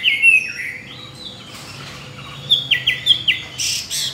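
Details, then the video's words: Tame caged Chinese hwamei, kept two years and trained for singing contests, delivers varied whistled notes. A falling phrase is followed by a quick run of stepped descending whistles, then a harsh noisy burst at the end. "Họa mi thuần nhiều giọng rừng,chim đấu hót tốt"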